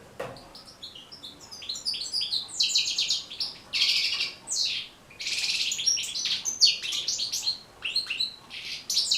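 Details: European goldfinch song used to train and stimulate caged goldfinches to sing: fast twittering, tinkling and buzzy notes high in pitch, delivered in continuous bursts with brief pauses.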